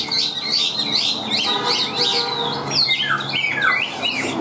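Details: Caged, hand-tamed Chinese hwamei delivering harsh, buzzy, squawking phrases repeated in quick bursts, shifting to downward-swooping rasping whistles toward the end.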